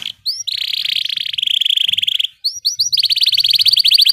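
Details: Canary rolling (ngeroll) in tutor audio: a long, smooth buzzing trill held steady, a brief gap, then quick rising notes leading into a rapid pulsed roll, over a faint low background.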